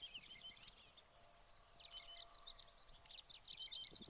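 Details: American goldfinches, mixed with some pine siskins, feeding on sunflower hearts at a tray feeder in spring 2020; scattered high sweet chirps and short twitters, sparse at first and then denser toward the end, over faint background noise.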